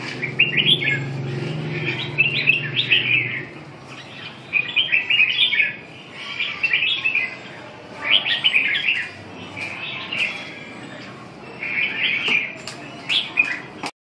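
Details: Red-whiskered bulbul delivering repeated short warbling phrases of bright whistled notes, about one burst every second or two, with a low rumbling hum in the first few seconds and a few faint clicks near the end.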